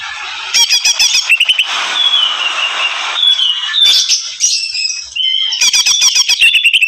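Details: Raging greater green leafbird: rapid stuttering notes give way to a rough, noisy screech with a gliding whistle over it, followed by more quick, piercing chirps.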